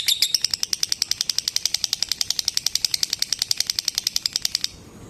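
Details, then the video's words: Lovebird in long ngekek, a training recording for other lovebirds: quick, regular high chips in a rattling stream, opening with a few sharper notes and stopping abruptly near the end. "Suara Burung Lovebird Ngekek Panjang untuk Masteran Lovebird Ngekek"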